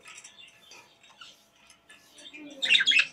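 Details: Pet budgerigars playing in a cage, giving soft scattered chirps that burst into a loud, bright cluster of rapid high chirps and squawky warbling near the end.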